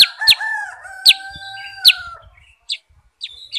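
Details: Sooty-headed bulbul (kutilang sutra) uttering loud, sharp downslurred chirps about every second, accompanied by long steady whistled tones in the background and a few quieter chirps toward the end.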